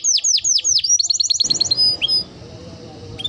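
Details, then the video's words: Singing Timbrado canary delivers a series of downward-swooping whistles, then a fast high trill, then scattered thin notes over a low background murmur. "Canary Bird Singing Timbrado canary singing beautiful melody"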